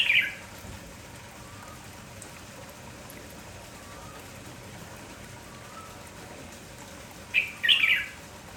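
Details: A lively red-whiskered bulbul gives two short, bright, chirpy phrases in the morning, calling almost nonstop, one at the start and one near the end, over a steady background hiss.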